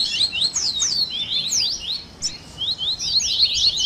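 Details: Coleiro, the Double-collared seedeater, in a 'baderna' song mix meant to warm up and train captive birds: rapid high chirps and rising and falling slurred notes that pile together, with a short lull near the middle before resuming.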